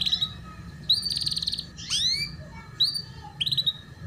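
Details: Tutor song of a canary, meant for young birds learning ngeriwik singing: high buzzy trill bursts alternate with swooping down-slurred notes and short rising chirps, with a low constant hum underneath.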